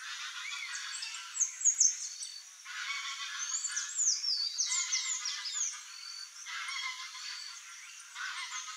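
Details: Green-backed becard, wild and free in nature, among high thin whistled and warbled notes, with short rising and falling slurs scattered through several overlapping voices above a quiet low band.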